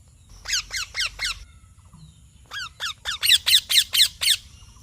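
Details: Parrot chirps in two groups, four raspy falling notes then a louder run of about eight, each squawk sliding sharply downward.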